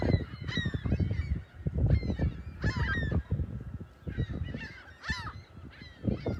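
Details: Gulls calling at South Beach, South Haven, on the morning of March 21, 2021, near the lighthouse and pier; repeated bent, wailing cries in irregular bursts, some overlapping, against heavy low-pitched rumble.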